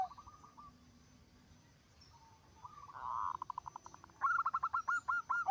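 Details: Zebra dove song said to prompt other zebra doves to sing: after a quiet start, a buzzy burst gives way to accelerating clipped notes and a loud stuttering phrase.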